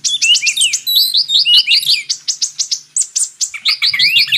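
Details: Purple-throated sunbird, known locally as kolibri ninja, in tutoring material for magpie robins: a rapid run of thin, high chips and short sliding notes, about three per second, uneven in rhythm, with no other clear sounds.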